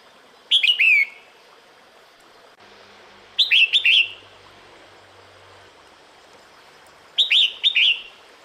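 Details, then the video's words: Female red-whiskered bulbul calling the male in breeding season, with three short phrases of sharp whistled notes falling at the end, spaced about three seconds apart, and a faint low hum in the middle. "Tiếng Chào Mào Mái Gọi Trống Mùa Sinh Sản"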